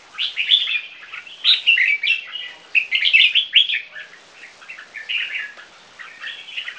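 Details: Three-month-old Viet-Thai crossbreed red-whiskered bulbuls in captivity sing in competition. Lively, jerky warbling phrases come in bursts about a second apart and fade toward the close.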